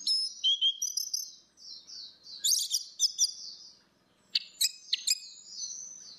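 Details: Lure recording of female and male orange-headed thrushes singing ngeplong, meant to prompt a bird that has gone quiet: high twittering phrases mixed with sharp buzzy bursts and clipped notes, broken by a brief silence midway.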